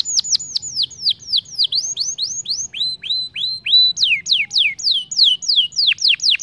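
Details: Lure song of a canary, used to spur other canaries into singing: a steady run of bright, sharply falling whistled notes, several per second, with brief shifts to lower swooping phrases and higher rapid notes.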